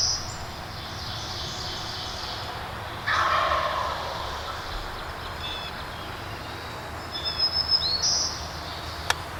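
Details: Wild turkey tom, a big woods gobbler pursued by a hunter during the 2019 spring turkey season in Pennsylvania, gives one short, rough, rattling gobble midway through, while songbirds chirp high and thin over steady background hiss.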